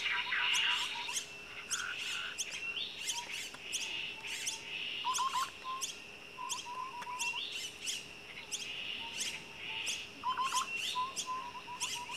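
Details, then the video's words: Common myna nest with young: harsh chattering notes and squeaky whistles repeated rapidly and irregularly over a steady high hiss, with a faint low hum throughout. "SARANG BURUNG JALAK NIAS ada ANAKNYA /starling/achridotheres tristris"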